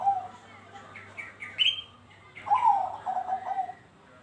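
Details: Zebra dove of Bangkok type in a perkutut lure recording, one quick bubbling cooing phrase of falling, rhythmically repeated notes, preceded by higher rising chirps from another bird over a soft background hum.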